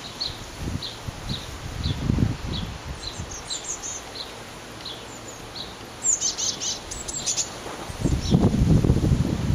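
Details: Eurasian blue tit chicks leaving their nest box in May 2011 on a very windy day, taking first steps outside. Thin, high chirps repeat about three times a second, with gusty wind rumbling throughout and swelling near the end.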